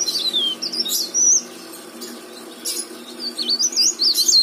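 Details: Leaf warbler singing actively, played as a lure to make other leaf warblers sing: thin, high squeaky warbled phrases with rapid up-and-down twists, in short bursts separated by brief pauses, over a faint low hum.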